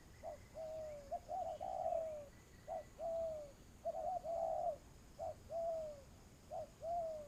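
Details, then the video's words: Cooing of a spotted dove kept as a trapping lure: repeated phrases of short soft notes followed by long, slightly falling coos, several phrases in a row, with a thin whistle from another bird in the background. "tiếng chim cu gáy"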